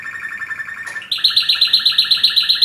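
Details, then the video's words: A Yemen linnet sings a fast, even trill of clear repeated notes, then jumps abruptly to a higher, louder trill of ringing notes at about five per second. "yemen canary"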